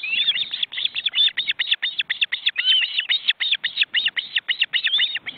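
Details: Osprey nest in Estonia's forest reserves on a live webcam, chicks flapping wings while afraid to fly with their parents. Rapid, unbroken rows of shrill whistled yelps, roughly five each second.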